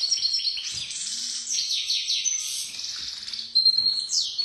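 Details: Goldfinch, praised as a first-rate 'pisador', delivering a dense tinkling twitter of high chirps and short trills, ending with sharp whistled downward slurs; a faint low hum runs underneath.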